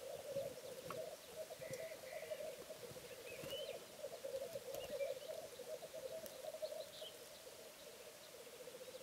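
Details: On a bog, a lekking male black grouse keeps up a long, even, dove-like bubbling murmur for the whole stretch, with scattered faint high chirps and whistles from other birds in the background.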